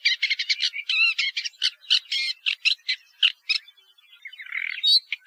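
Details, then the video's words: Woodchat shrike song: a rapid, scratchy jumble of short chattering and warbled notes, some with quick wavering, followed by a softer run of squeaky, nasal phrases and a final sharp note. "Canto del Alcaudon Común"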